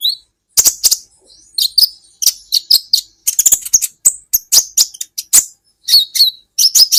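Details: Olive-backed sunbird song recorded as training material for songbirds: dense, energetic, very high-pitched chips and short twittering phrases, repeated quickly with small gaps and some downslurred whistled notes. The background is clean.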